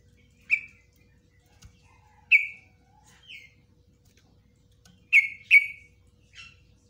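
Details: Yellow-vented bulbul (trucukan) in a long ropelan-style song with nguklik and ngecruk notes, used as a master recording for training cage birds; loud short chirps falling from high to lower pitch, some paired, with quiet gaps between.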